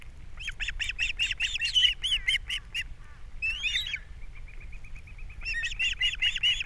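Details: Osprey pair at their Captiva nest, morning of April 3, 2022, with the male bringing fish and the female feeding the chicks. Rapid, piping chirps repeat more than twice a second, then pause for a softer trill before the chirping resumes.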